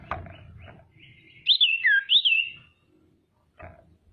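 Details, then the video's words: Female common iora used as a lure to make rivals call and grow agitated; a sweet wavering whistled phrase rising and falling twice, between faint clicks and low noise. "SIRTU BETINA GACOR PANCINGAN PALING AMPUH BIKIN CEPAT BUNYI DAN EMOSI SIRTU LAIN"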